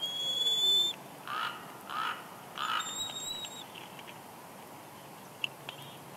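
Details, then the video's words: A nesting female bald eagle whines softly during a headless-fish delivery by the male, Big Bear Lake, California, 6 March 2021. A high thin whistle from another bird opens, followed by three muffled, harmonic whining notes at roughly 0.7-second intervals. "Jackie Whines Softly As Shadow Brings Headless Fish"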